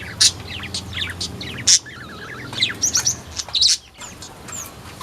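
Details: Buxtomi-type Sunda white-eye singing constantly in a mini aviary on 1 November 2024: rapid high twittering with bright slurred notes and quick trills in bursts, over a low mechanical hum.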